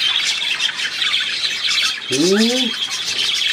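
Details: High, fast budgerigar warbling, recorded 3 April 2017, runs steadily throughout, while a single lower, rising-then-falling harmonic sound cuts in just past the midpoint.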